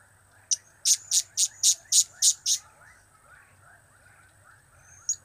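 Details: Blue-crowned hanging parrot calling cap, kiak, crap: one sharp note, then seven evenly spaced shrill chirps about a quarter second apart, and a lone note at the end.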